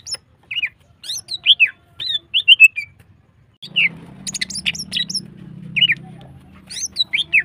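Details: Female greater green leafbird in full, long-bursting song meant to bring other birds into breeding mood: rapid sharp whistled and slurred notes around high pitch, some swooping downward, in scattered bursts, with a low hum starting midway.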